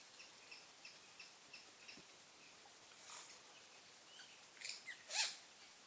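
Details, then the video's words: Point-tailed Palmcreeper, a bird that forages under palm leaves: faint series of short, high, evenly spaced notes about three per second, then a few louder, harsher bursts over soft background hiss. "Point-tailed Palmcreeper"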